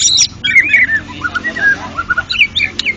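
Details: White-rumped shama, a national champion songbird, singing in ngeplong style. Clear whistled phrases slide and warble, with a sharp burst at the start and rapid chattering notes near the end.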